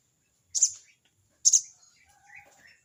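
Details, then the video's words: Crested jay calling a rival: two harsh, rasping bursts about a second apart, followed by faint softer chirps. "burung sogon bunyi crecet cerecet!!sogon manggil lawan!!"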